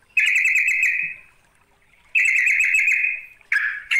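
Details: Sooty-headed bulbul (trucuk) calling a rival. Two long, harsh, buzzy rasps nearly a second each are followed by two short clipped bursts.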